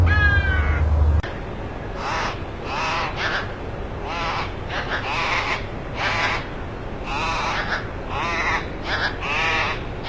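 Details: Bird making harsh, raspy cawing calls in quick irregular series, about three per second, with brief pauses between bursts; a short click at the start, steady low background noise throughout.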